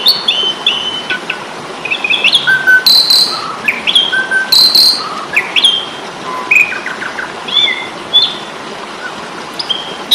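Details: Asian pied starling (jalak suren) fighting song for training Indonesian songbirds: scattered whistled slurs, chirps and occasional harsh bursts at moderate volume with short pauses between phrases.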